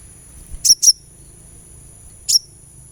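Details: Sunbird, recorded as a therapy sound to make a kept bird sing. It gives two very high, sharp chip notes close together, then a single matching note after a pause over a steady high whine.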